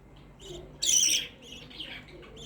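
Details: Single loud, buzzy chirp from a pet black-face budgerigar, preceded and followed by fainter soft tweets against a quiet indoor hiss.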